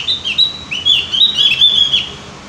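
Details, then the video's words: Javan grey-throated white-eye, also called opior jawa or cucak gentong, used as a lure recording so birds sing diligently; a continuous run of high, quick, slurred chirping notes with rising and falling twitters. "pancingan burung opior jawa atau cucak gentong agar rajin bunyi"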